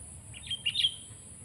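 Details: Kutilang, the sooty-headed bulbul, delivers a quieter rapid run of four or five short whistled notes ending in a brighter slurred pair, partly veiled by hiss, a constant high whine and low rumble.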